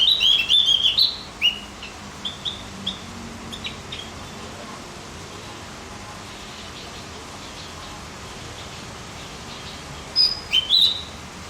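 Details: Javan grey-throated white-eye, recorded as a tutoring track to excite other birds, gives a quick burst of high chirps at the start and another short burst near the end, with a long quiet stretch of background hiss between.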